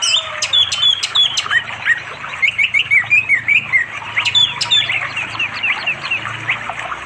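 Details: Orange-headed thrush calling a female to mate, afternoon, by a flowing river in unspoiled forest of East Java, phone recording; lively series of sharp high whistles and mimicking twitters, repeated in quick phrases, over rushing water.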